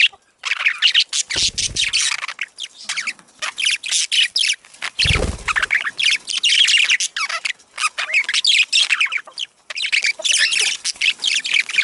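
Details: Budgerigar warbling meant to encourage breeding: continuous rapid chatter of harsh chirps, clicks and squeaky notes, with two brief low thumps partway through.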